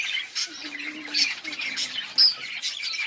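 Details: Mating lovebirds produce harsh squawks and shrill chirps, about one a second. A sharp, piercing squeal stands out near the end.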